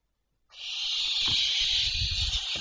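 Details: Barn owls recorded at night on 26 May 2023 around 02:16: a loud, continuous breathy hiss begins after half a second and holds steady to the end, with faint low thumps and rustling beneath.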